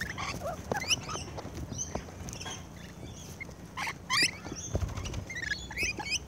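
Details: Rainbow lorikeets at close range while feeding give short, rasping, upslurred screeches and squeaky notes in small bursts, some overlapping, against a low steady rumble.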